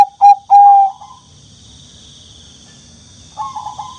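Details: Young turtle dove giving two short whistled notes and a longer level whistle, then a pause and a quieter wavering phrase; constant high-pitched electrical hum in the background.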